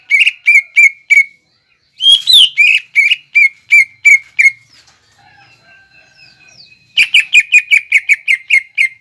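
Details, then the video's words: Greater green leafbird in 'nembak ngekek' lure song: quick repeated whistled notes and a harsh scratchy burst, a quiet gap with faint thin whistles, then another rapid run of repeated notes. "PANCINGAN CUCAK IJO GACOR NEMBAK NGEKEK BIKIN CEPAT MASUK BUAT CUCAK IJO KUNINGAN"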